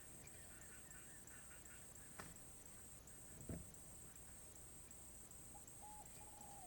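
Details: Spotted dove giving its khom pa roi song, off its usual timing: a brief soft coo and then a longer level coo near the end, after two sharp knocks, against constant high-pitched hiss and low background hum.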